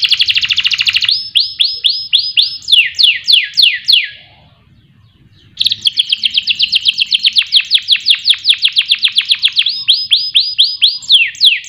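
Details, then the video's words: Canary song used as a lure to get other birds singing day and night: rapid rolls of repeated high sweeping notes, some descending slurs, a brief pause, then a long fast trill. "Pancingan Kenari Agar Gacor Siang Malam"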